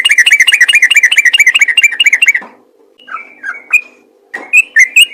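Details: Yellow-vented bulbul's rapid ropel song, played to get other bulbuls singing. A quick burst of rapid chirps lasts over two seconds, then a few separate whistled notes follow. A low hum runs underneath.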